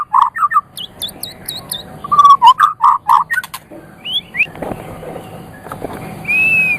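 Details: White-rumped shama song recorded for training other songbirds: loud, low, rich whistled notes in short bursts mixed with sharp high chips, then a sustained thin whistle.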